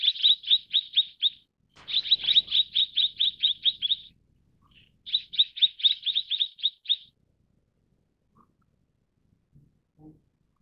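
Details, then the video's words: Long runs of high, sharp, rapidly repeated chirps from a Mrs. Gould's sunbird, with two strings of about ten to fourteen notes each, a soft rustling thump near the start and quiet after the calling stops. "藍喉太陽鳥/Mrs. Gould's Sunbird"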